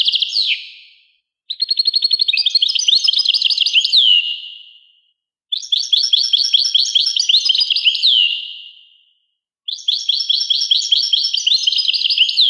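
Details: European goldfinch singing three long bursts of fast, bright twittering with buzzy trills and tinkling notes, separated by short silences, each phrase fading out with an echoing tail.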